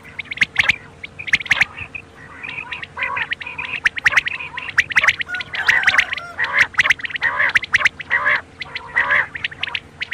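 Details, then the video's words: Night quail chorus: dense, overlapping chirps, squawks and gargling notes from many birds, growing busier midway, irregularly spaced, with a faint steady hum. "بٹیروں کی بولی رات کے لیے"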